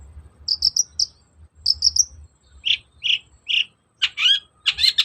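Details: Long-tailed shrike song meant to provoke a reluctant bird into singing: two bursts of three thin high whistled notes, then three lower rounded chirps, ending with harsh scratchy rasping notes.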